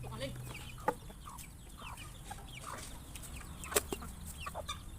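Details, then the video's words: Many chickens eating, startled by a noise: soft scattered clucks and chirps with two sharp clicks standing out, over quiet low background noise. "Many chickens are surprised when they hear a noise while eating their next meal"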